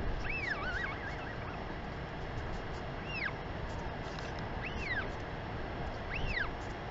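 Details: An adult female Northern royal albatross at a New Zealand nest greets her chick with a sky call, March 2021 afternoon. Four looping, whistled up-and-down notes, the first wavering, spaced over strong background wind.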